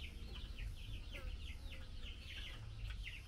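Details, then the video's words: Female Chinese hwamei calling the male while being fed mealworms: a steady string of short, sharp, downward-slurred chips repeated several times a second, over low background rumble. "Tiểu mi mái chép gọi trống khi cho ăn sâu gạo"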